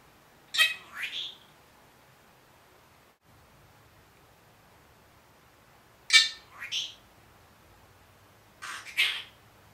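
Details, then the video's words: A one-year-old pet Senegal parrot, which is said to talk and say good morning, gives three harsh, raspy bursts spaced a few seconds apart, each a scratchy rising syllable followed by a shorter one, in a quiet room. "Talking Parrot"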